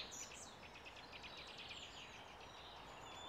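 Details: European pied flycatcher near Pilisszentlászló, Hungary, singing a faint run of high, sweet, quick notes that dip and rise, over a steady hiss of background noise.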